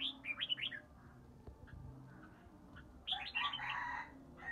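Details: Three-season red-whiskered bulbul from Ba Tơ singing ché in early spring: a rapid run of bright, curling whistles, a short click, then a louder, rougher burst of notes near the end.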